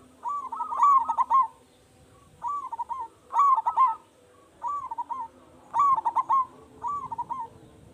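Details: Local zebra dove with a loud, big voice, kept as a lure to set other doves calling: low, rounded cooing phrases of rapid bubbling notes ending in a drawn coo, each about a second long, repeated every one to two seconds.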